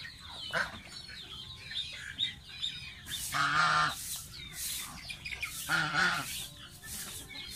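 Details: A pet baby domestic goose at bath time: several louder, nasal honk-like calls with a buzzy harmonic tone, each lasting under a second, mixed with scattered peeps and splashy noise.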